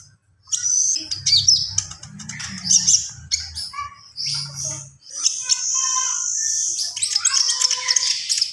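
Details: Javan pied starling in lively full song, mixing high whistles, rattling chatter and grating phrases, with a sustained high scratchy stretch and a low hum beneath.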